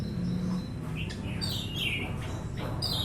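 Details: Orange-headed thrush giving a few scattered whistled and slurred notes, some dropping in pitch, against constant low-pitched background rumble.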